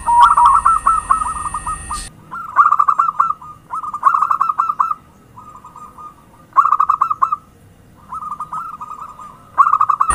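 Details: Zebra dove (perkutut) lure sound: repeated phrases of fast bubbling coo notes, each about a second long, separated by brief pauses and softer trills, with a steady high tone during the first two seconds.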